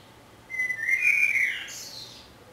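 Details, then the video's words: Common blackbird singing in Budapest on 27 May 2014, recorded from a window hide: a clear fluting whistled phrase, level then slightly rising, ending in a higher squeaky flourish, over soft background noise. "Fekete rigó énekel / Singing Common Blackbird"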